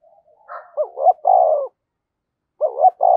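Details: Decoy spotted dove with a 'thổ sấm' voice giving its calling coo. One full hoarse phrase of two quick notes and a drawn-out rolling coo, a faint soft note just before it, then the start of a second phrase.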